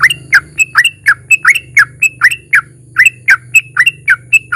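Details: Sooty-headed bulbul's long ropel song with narung, a lure to make other bulbuls sing: clear, slurred whistles, some rising and some dropping, repeated over a steady low hum.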